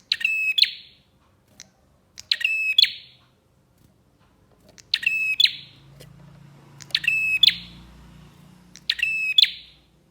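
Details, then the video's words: Bar-winged prinia used as a lure to make other prinias sing: five loud, high bursts at uneven gaps, each a rapid ladder of clicking notes with a sharp tonal chirp, over a faint low rumble. "PANCINGAN BURUNG PRENJAK GACOR"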